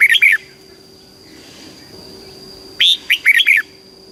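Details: Red-whiskered bulbul, a caged Thai bird, sings southern master-style song used to rouse and teach young birds. A clipped phrase opens, then after a pause comes one full phrase of five quick, bright, warbling notes over a constant faint whine.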